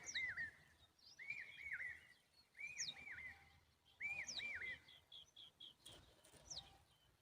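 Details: Common babbler calling to protect its young, giving short bursts of quick, looping, mid-pitched notes about every second and a half, with thin higher squeaks between them.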